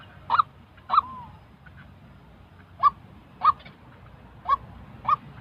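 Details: White-breasted waterhen calling for decoy-bird training: harsh nasal notes in an uneven pattern, two quick ones, a pause of nearly two seconds, then four more spaced out.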